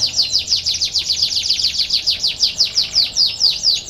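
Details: Training song to coax reluctant canaries into singing: a fast, even series of high, sharply descending chirps repeated about four times per second. The chirps run unbroken throughout.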